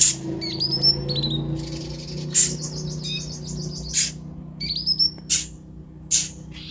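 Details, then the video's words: Sunbird known locally as kolibri ninja, played to stimulate newly caught caged birds to sing: high thin rising whistles and twittering trills, broken by sharp clicking bursts, with a constant low hum beneath. "terapi ampuh buat konin biar gampang bunyi dan gacor"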